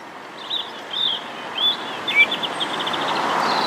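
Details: Song of the English Robin, Erithacus rubecula: a varied phrase of short, high warbled notes that runs into a fast, thin trill, with low steady background noise.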